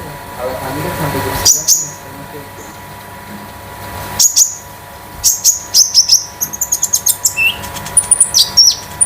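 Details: Konin (olive-backed sunbird) of the 'damer metalik' type, a home-kept master bird used to stimulate other birds; sparse high tinkling notes build into a rapid run of sharp, metallic chirps toward the end.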